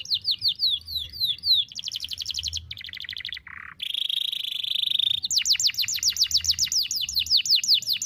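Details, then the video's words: Long-breathed canary song meant to teach young birds to sing: varied high tours of rapid repeated sweeps, a short low buzzy note, a sustained high whistle, then a fast series of bright descending chirps. "KENARI GACOR NEMBAK TAJAM , DURASI PANJANG SATU NAFAS || CUIT CUIT MASTERAN KENARI PAUD AGAR BUNYI"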